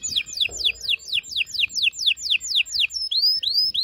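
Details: Strong canary song meant to excite mates for breeding: a run of about ten quick downward-sweeping whistled notes, roughly three per second, then a few rising slurred notes.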